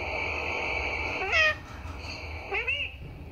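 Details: A talking parrot gives two short, bending, voice-like syllables about a second apart over a steady background hum, part of its "Papa" and "Mummy" imitations.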